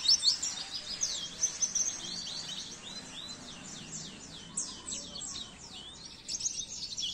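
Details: Caged-bird training recording of Oriental white-eye song: long run of high, rapid twittering, many quick down-slurred whistled notes in a steady stream with louder bursts at the start and end.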